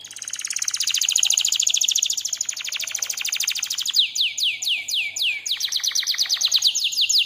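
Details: Canary song used as a lure and master tutor track: a long, dense, rapid trill followed by crisp downward-swept notes repeated several times per second.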